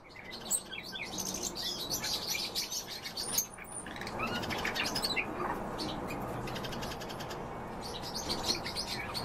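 Common starling song: a dense, jumbled stream of high chirps, clicks and whistles, several voices overlapping with a soft rushing background.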